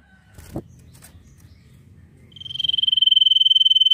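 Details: Common iora singing a nyiul-style song: after soft clicks and a low thump, a long, evenly pulsed high whistle begins, swelling in loudness and held steady to the end.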